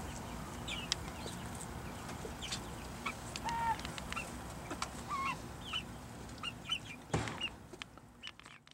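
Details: Black and brown chickens at feeding time: soft scattered clucks and short rising chirps among rustling and pecking noise, with a loud knock near the end.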